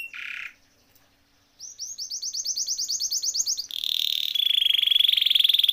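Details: Canary singing as a training recording: a short harsh burst, a pause, then a rising series of rapid repeated notes leading into a dense high rolling trill.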